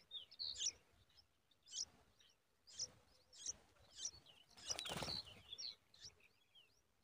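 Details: Yellow-tailed bulbul nestlings cry from hunger as the mother brings food: high, squeaky chirps in bursts roughly once a second, plus one brief rushing noise midway, likely wing flutter or nest movement.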